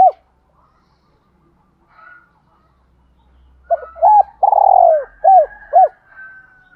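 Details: Caged-dove training call of male and female spotted doves: after near silence, a phrase of short arched coos around a long rolling, falling purr, ending with two clear coos.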